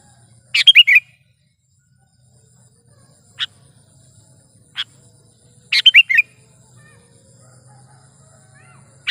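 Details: Sooty-headed bulbul, a lively chattering bird, in a recording meant as a lure for trapping and as a tutor recording. Two bubbly phrases of three or four quick slurred notes, with single sharp chips in between.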